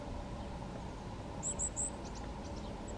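A Goldcrest gives three very high, thin, quick notes, then fainter ones, over a steady low rumble of wind or distant traffic.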